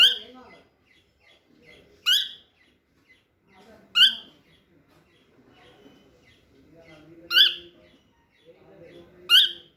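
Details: Small cockatiel, walking for the first time, gives loud harsh rasping squawks about every two seconds, each a sharp broadband burst, with faint soft chirps and low murmuring voices between them in a quiet room.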